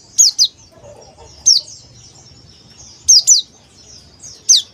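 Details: Male Oriental white-eye of the dakbal type calling: thin, high chirps, each a quick downward-slurred note, given in close pairs or singly and repeated about every one and a half seconds over faint low background hum.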